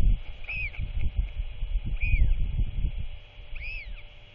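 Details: Royal albatross chick being visited and fed by its father at dusk on 27 March 2024: three clear arched whistled calls, about every one and a half seconds, over steady wind noise.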